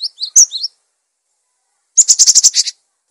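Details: A cinereous tit in lively song for training and luring other birds: a run of wavering high whistled notes, then after a short gap a harsh, rapidly pulsed buzzy chatter of about eight beats.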